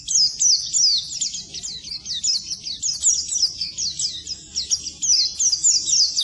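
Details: Oriental white-eye song for tutoring birds that refuse to sing: a very fast, steady twitter of high, down-slurred chirps, roughly three per second, running continuously.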